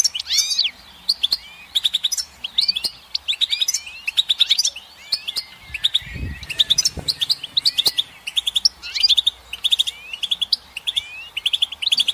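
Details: Goldfinch singing a long, continuous, liquid twitter of quick chirps, trills and buzzy notes in bursts, with a soft low knock partway through.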